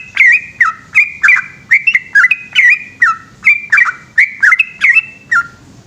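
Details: Extended nighttime song from a yellow-vented bulbul, a rollicking sequence of rich whistled notes alternating high and low slurs, about two to three per second, fading at the close.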